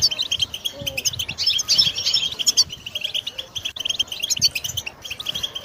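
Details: A European goldfinch kept as a pet delivers rapid bright twittering with tinkling, slightly metallic notes, a short pause near four seconds, then the chatter resumes.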